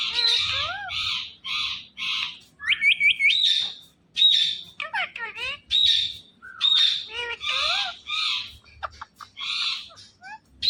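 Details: Talking Indian ringneck parrot, a pet bird: loud harsh squawks repeated in quick bursts, mixed with rising and falling whistled notes and short chattering phrases, with faint low background noise.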